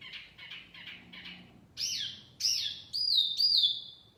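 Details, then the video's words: Wambi mini song used as a lure call for trapping birds: soft buzzy chirps around mid-pitch repeated rapidly, then loud high swept whistles, some rising and falling, in four strong bursts. "Kicauan Wambi Mini Pikat Gacor"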